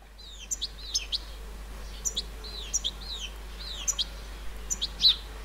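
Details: Juvenile European goldfinch recorded on 30 July 2019 in a flower bed in the countryside of central France, giving short, high twittering call notes in small bursts, repeated through the clip against a steady low background hum.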